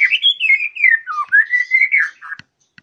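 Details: White-rumped shama, said to have a fighter's mentality and be ready for competition, giving a continuous stream of clear whistled notes wavering up and down for over two seconds, ending with a few soft clicks.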